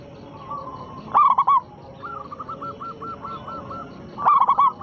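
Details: Zebra dove of local stock with a big voice, used to draw replies from other doves; two loud rolling coo phrases about three seconds apart, separated by a quieter series of rhythmic coos.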